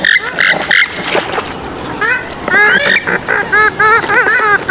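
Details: Swamphen calls: loud nasal honking notes, first a few short bursts, then a run of bent, harmonic calls repeated in quick succession, with other birds calling faintly behind.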